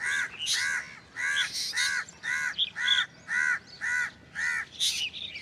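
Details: Black drongo giving a strange call: a series of harsh, arched notes near two kilohertz, each about a third of a second, repeated roughly once a second, alternating with brighter, higher squeaky notes.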